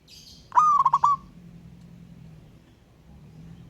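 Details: Wild local zebra dove calling a rival: one short cooing phrase, a rising note followed by a quick run of three or four clipped coos, then quiet background hum.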